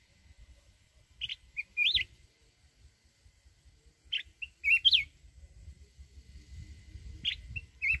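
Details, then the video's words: Red-whiskered bulbul from the mountains singing its wild-voiced song to provoke decoy birds: three crisp whistled phrases of a sharp note, a short chip and a rising warble, roughly every three seconds over a quiet background. "chào mào núi@ hót giọng rừng kích bổi."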